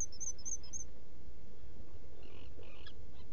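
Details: Black Guillemot in its nesting burrow on Seal Island NWR, Maine, 18 June 2018, early morning. Five very high, thin, sharp whistles in quick succession open the recording, then faint, wavering mid-pitched squeaks over a low background rumble.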